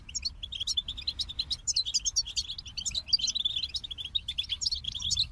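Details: Goldfinch song made of fast, lively chirps and tinkling twitters poured out almost continuously, with occasional higher sparkling notes.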